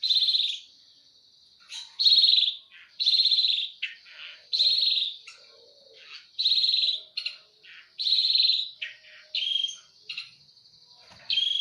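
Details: Eurasian tree sparrow in a fight repeating loud, harsh chirps roughly once a second, with short clicking notes between and a thin steady high tone behind.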